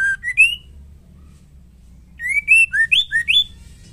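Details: A female murai batu, or white-rumped shama, sings to provoke males. A short rising whistle is followed by a longer run of about six clear, slurred whistled notes climbing and dipping in pitch.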